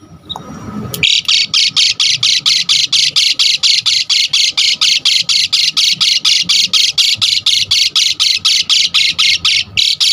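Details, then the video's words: Asian pied starling sound used to stir other starlings into singing: after a brief quiet start, a long steady series of harsh, grating squawks repeated about twice a second for ten seconds. "Pancingan Jalak Suren GACOR Full Isian Bikin Tambah Emosi Burung Jalak Agar Lain Tambah Gacor Full"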